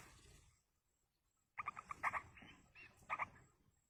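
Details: Yellow-vented bulbul chicks fed by a parent in the wild give a sudden run of quick, buzzy, harmonic begging notes. A short pause follows, then a final pair of notes, with rustling beneath.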